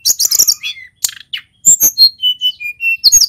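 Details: A local male mountain white-eye from Pacitan sings energetically: a cluster of shrill chirps, a brief gap, then a clear series of short whistles falling gently in pitch, separated by tiny breaks.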